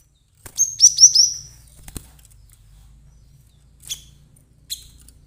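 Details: Cinereous tit (glatik batu) calling excitedly as a trapping lure: a brief series of four thin, very high chirps, then a click, two faint high notes later on and a low background hum.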